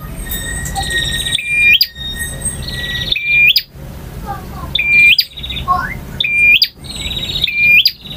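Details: Male bar-winged prinia singing in varied styles named ngotot, ngalun, variasi and kristal: high, sharp repeated phrases, each a rapid buzzy trill ending in a bright upswept whistle, separated by short abrupt gaps, with a low background hum.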